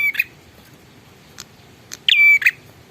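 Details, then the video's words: Bar-winged prinia song. The tail of one phrase is followed after a pause by a full phrase: a rasping note, a long even whistle and a harsh final note. A few soft clicks fall in between. "suara burung prenjak super gacor"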